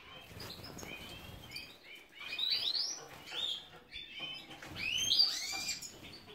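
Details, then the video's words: A captive-bred European goldfinch (Carduelis carduelis major) in Ioannina, Greece, sings bright, tinkling twitters and liquid high trills in quick irregular bursts, with soft background rustling. "Εκτροφή Καρδερίνας - Carduelis carduelis major breeding"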